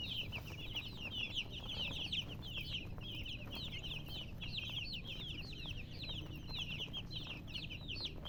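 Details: Chicken chicks chirping in a dense, continuous chorus of rapid, high, downward-sliding peeps from several birds, with a steady low rumble of background noise.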